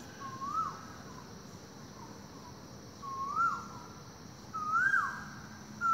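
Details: Asian koel calling loudly in a forest in the morning: three rising, whistled two-part notes about 1.5 seconds apart, getting louder, with a steady high insect hum behind.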